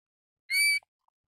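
A Pacific golden plover gives one clear, loud whistled note lasting about a third of a second, with only faint soft ticks afterward.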